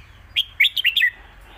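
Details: Master song of a competition Red-whiskered bulbul, used to teach young birds. One crisp phrase of five quick, bouncing whistled notes that drops at the end.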